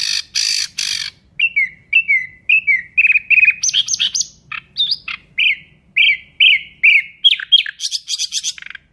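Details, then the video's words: Loud, lively Nightingale song: harsh scratchy bursts, then a rapid series of clear, downslurred whistles repeated about twice a second, mixed with buzzy high trills and ending in a rattling flourish. "Nightingale bird singing Beautiful"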